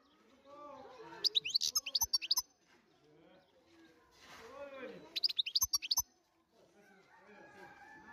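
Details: European goldfinch from the wild in song, delivering two quick runs of high, clipped tinkling notes around a second long, with softer lower warbling or voice-like sounds before and between the runs.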